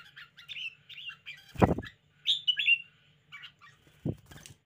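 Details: Lively caged red-whiskered bulbul uttering short whistled chirps and slurred notes. Two loud low thumps, like the cage being knocked or wings flapping, break in, over a faint steady hum.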